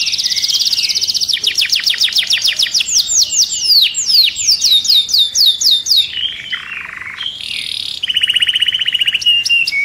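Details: Singing canary, played to stimulate other birds for mating. A fast metallic trill leads into repeated falling whistled notes, then a low buzzy rattle, another quick even trill, and clipped high notes.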